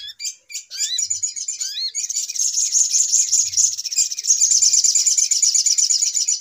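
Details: Little spiderhunter call played to lure birds into traps: rising slurred whistles and sharp chips at first, then a sustained, very high, rapid chattering trill to the end.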